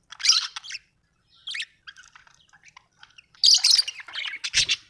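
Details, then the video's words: Budgie chattering happily in scratchy, squawky bursts separated by softer clicks and twitters, with a loud harsh burst near the end. "Happy budgie chirping sound 🥰 budgie singing sound 😍"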